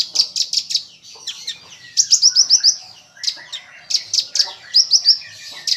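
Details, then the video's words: Isian rambatan full tembakan song of the common iora, for training other songbirds: fast strings of sharp high chirps, a rising series of clipped whistled notes, then renewed rapid bursts after brief gaps. "Konin Isian Rambatan Full Tembakan"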